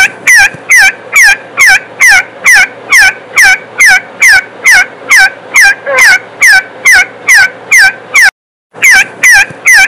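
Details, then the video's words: Harsh, rasping partridge calls repeated evenly about twice a second over ten seconds, each note sliding downward, interrupted once by a brief silence before the series resumes. "صوت الحجل"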